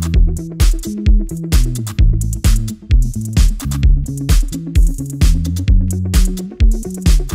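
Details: Only loud electronic dance music with a steady beat and deep bass notes, with no animal voices audible.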